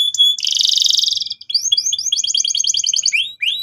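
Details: Canary song to get another bird singing: a buzzy rolling trill, then a fast run of short upslurred whistled notes ending in descending slurs.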